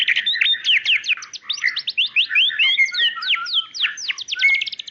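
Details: White-rumped shama female calling for the male with a dense, energetic song of crisp descending whistles, quick chirps and a few sliding notes, continuous throughout.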